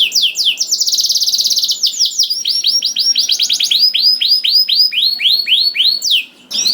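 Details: Prompting song of a canary for other canaries: an intense rapid trill, then overlapping swept notes and a long series of rising whistled syllables, ending abruptly.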